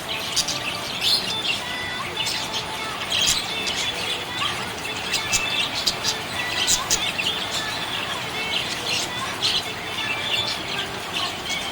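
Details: Chirping from a happy budgie: continuous high warbled chatter with many short clicks and tweets, fairly even in loudness throughout.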